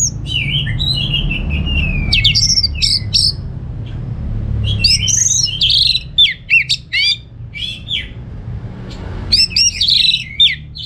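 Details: Orange-headed thrush (anis merah) kept at home in Singaraja, northern Bali, singing. It gives bursts of varied high whistles, slurred notes and quick chips, with pauses between phrases, over a steady low hum.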